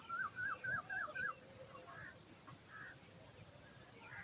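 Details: Eagle chick begging while waiting for dinner in the nest, opening with a fast wavering whistled trill of about five notes, then softer scattered harsh calls over a low background.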